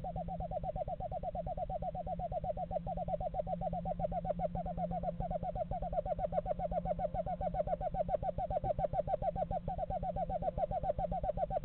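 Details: Eastern screech-owl, one of a pair checking out a nest box in a yard in November, gives a long, steady, mid-pitched trill of rapid even pulses running unbroken throughout, over a low background hum.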